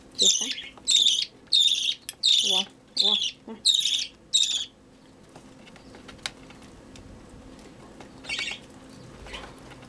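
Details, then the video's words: Budgerigar chick being hand-fed, begging hungrily: seven harsh, buzzy raspy bursts about every half second, then quiet with faint rustling and one later short rasp. "Выкармливание птенца волнистика"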